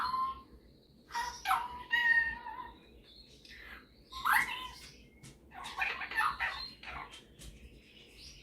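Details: Indoor pet Superb parrot, a male, singing and mimicking: a few drawn-out nasal tones, then scratchy mixed chatter and brief squeaks, with a low background hum.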